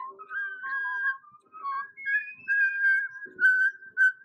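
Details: Stella, a 1-year-4-month-old female pet common starling, talks and whistles to the camera with whistled music in the background: a quick run of clear, slurred, swooping whistles mixed with short chattering, speech-like phrases.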